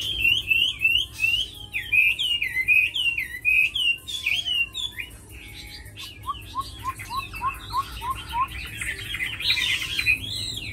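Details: Singing tamed hwamei, described as a strong fighter: looping whistled phrases repeated in rhythm, then a run of short rising notes about every half second, ending in loud rich warbles.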